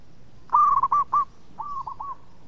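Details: Zebra dove, a local-type bird, cooing in two phrases: a rapid series of soft, rounded, rolling notes near the same pitch, a brief pause, then a shorter repeat, over a quiet low background.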